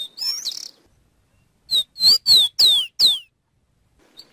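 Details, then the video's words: Rufous-collared sparrow song: a few thin opening whistles, a pause, then a clear series of five loud, sharply descending slurred whistles, each about a third of a second long, in a quiet setting. "Suara Burung Masteran Rufous collared sparrow Zonotrichia capensis"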